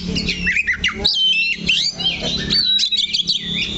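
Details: Singing caged Oriental magpie-robin anchored to one spot of its perch: harsh squawky notes mixed with high whistles and looping slurred phrases, fast and varied.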